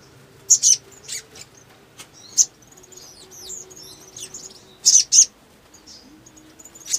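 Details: Male crimson sunbird, or sogon, used as a lure to spark other birds into song. Scattered high, sharp chips come in pairs and singles, with faint thin whistles between them.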